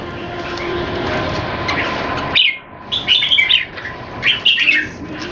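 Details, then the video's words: Caged Red-whiskered bulbuls in Singapore, one moulting, birds compared head to head: after a stretch of hum and murmur, short bright warbled phrases burst out in quick clusters, separated by brief pauses. "นกหัวจุก JAMBUL"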